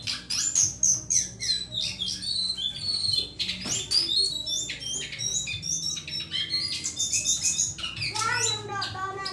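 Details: Sunda laughingthrush, cingcoang, singing a busy medley of sharp whistles, chattering notes and fast trills, densely packed, with a steady low hum behind.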